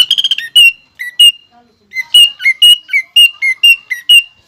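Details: A greater green leafbird delivers song with pelatuk bawang imitation: a quick stuttering rattle opens, then evenly spaced loud whistled notes alternate between two pitches, about two per second.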